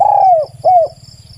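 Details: Two loud, smooth coos from a spotted dove, the first longer and gently falling, the second shorter and arched, over a low pulsing hum, recorded very clearly for use as a decoy call.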